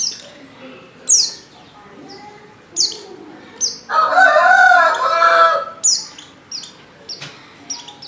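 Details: Brief high descending chirps of a female white-eye in heat calling a male, interrupted midway by a long, loud, harsh crowing sound from another bird.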